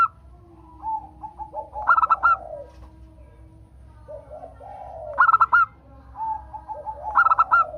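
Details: Local zebra dove tutor recording to prompt other doves to sing: three phrases of rapid, ringing coo notes, each introduced by soft, lower rolling murmurs.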